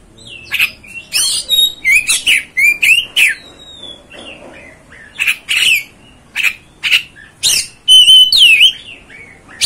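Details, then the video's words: Oriental magpie-robin song played to fire up another magpie-robin: rapid series of hoarse squawky bursts and whistled slides, fast and uneven, ending with a bright descending whistle. "MEMANCING | MEMBAKAR EMOSI KACER ANDA"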